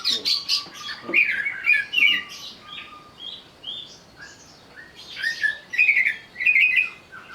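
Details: Greater green leafbird singing while agitated, as a lure to provoke song: lively mix of buzzy chatters and clear whistled slurs, with a steady thin tone under the early phrases and loud bursts returning near the end.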